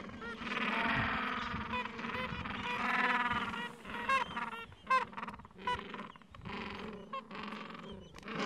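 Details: Falkland Islands gentoo penguin colony, adults tending nests and chicks aged two to three weeks on a mild afternoon; a long loud braying call at the start, then shorter clipped calls and chatter from several birds.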